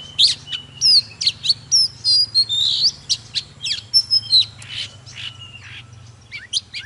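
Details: Oriental magpie-robin singing and dancing: quick varied whistled notes, sharp upslurs and short trills, high and clear, in bursts about every half second, over a steady low hum.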